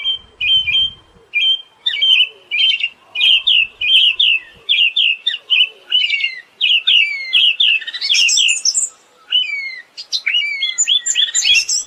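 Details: Siberian thrush song, long and continuous: repeated fast slurred notes on one mid-high pitch in quick bursts, later mixed with higher twittering and sliding whistles.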